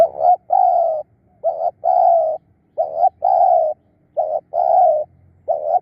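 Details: Decoy spotted dove, kept to lure wild doves, cooing steadily: four short-then-long pairs, each a quick low note followed by a drawn-out, gently descending hoot, with quiet gaps between and faint low background rumble.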